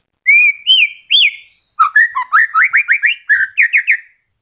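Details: White-rumped shama in moult, just starting to regrow feathers and still singing, kept as a caged bird: loud clear whistled notes rising and falling, then a fast run of repeated chopped whistles and chattering phrases.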